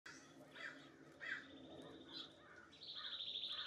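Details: Male Nuttall's woodpecker at an oak tree with suet, giving several short, sharp call notes, then a fast, dry, high rattle of about ten notes a second, with faint background noise throughout.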